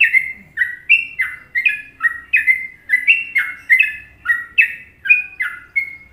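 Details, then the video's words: Masteran song of a sooty-headed bulbul (trucukan), Indonesia, in a favoured Trucukan melody: clear fluty whistles with sharp onsets and falling tails, repeated in a brisk, regular pattern throughout, quiet background. "Masteran Trucuk Indonesia"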